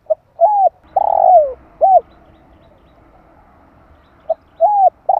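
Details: Spotted dove calling to excite decoy birds and lure wild doves, 2021: a short note, a rising-falling coo, a long slurred note sliding down, then a final arched coo, the phrase beginning again after a pause.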